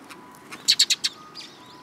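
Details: Eurasian tree sparrow near people to be fed on the front approach of a Tenmangu shrine, 10 April 2022; a rapid run of four loud, high chirps, then softer twittering.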